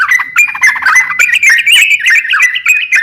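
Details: Crocok-cokan singing energetically, recorded as master material for songbird training: a dense, rapid stream of squeaky chirps and brief whistles, with roughly four notes each second.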